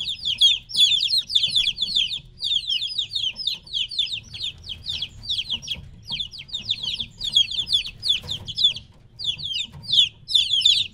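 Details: Three-week-old chicks kept from their mother chirp loudly and constantly, a flock of high, sharply descending peeps in dense runs broken by short pauses, with low background hum.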